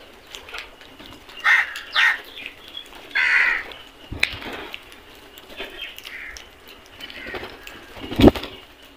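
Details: Feeding crows in a flock: a few scattered hoarse caws early on, then quieter calling, with a sharp knock or clatter near the end.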